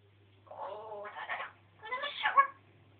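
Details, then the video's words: Pet African grey parrot ranting indoors: two harsh, voice-like outbursts with buzzy harmonic tones, each about a second long, separated by a short pause, over a faint low hum. "african grey jo-jo talking"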